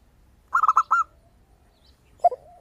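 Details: Zebra dove singing, with a crisp, crystal-toned voice: a rapid run of four or five bright, high staccato notes, then silence and a short lower dove coo at the end.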